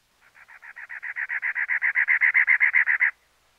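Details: Cactus wren giving a harsh, scratchy chugging series of about twenty rapid notes, roughly seven per second, swelling in loudness over three seconds against a clean, silent background.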